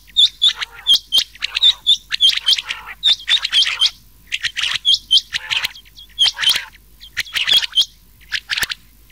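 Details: Rain quail mixed with old quail voice, a recording used for hunting at night in summer; sharp chirping notes near the top of hearing, in quick uneven bursts of two or three, repeated many times over nine seconds, with clicks between.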